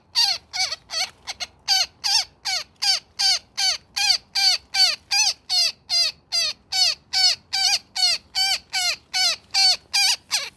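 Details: Woodpecker trapped in a net, calling in distress: about twenty-seven loud, harsh, harmonic squawks with downward-curving tails, evenly repeated over ten seconds, clean with little background.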